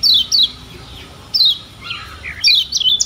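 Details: Lemon-bellied white-eye from Lombok on a tutor recording for song training. Crisp high down-slurred chirps repeat about once a second, mixed with a few softer, lower twittering notes before a final quick flurry.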